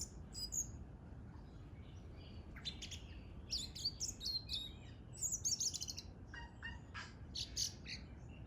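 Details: Bird singing outdoors: bursts of high, thin chirps and short twittering phrases, some quick falling notes, in irregular clusters over a steady low background rumble.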